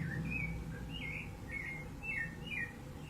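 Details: Rufous-bellied thrush singing in the wild, recorded 15 November 2020: a brisk sequence of bright whistled notes, several with a downward slur, repeated roughly every half second, over faint low-pitched background noise.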